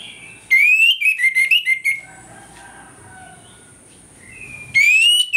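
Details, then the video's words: Loud morning 'ngeplong' song from an orange-headed thrush, used to goad other birds into aggression; a fast series of sharp whistled notes rising in pitch, a pause, then another loud rising whistle. "ANIS MERAH NGEPLONG PAGI, PANCINGAN ANIS MERAH AGAR CEPAT EMOSI"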